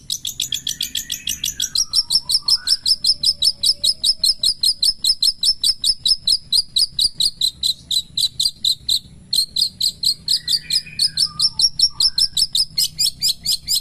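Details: Long-tailed shrike of the pastol type singing in the morning: a fast, steady stream of high, sharp chattering notes, about two or three per second, with a few softer lower slurred whistles underneath.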